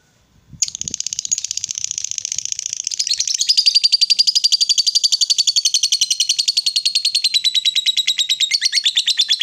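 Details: Sustained ngekek from a female fighter lovebird, used to make rival lovebirds react: the chatter bursts in sharply and continues as a high, grating, rapid trill for nearly nine seconds, steady and loud.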